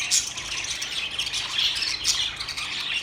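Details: Budgies give harsh, high squawks and grating chirps in a brief continuous burst of overlapping chatter.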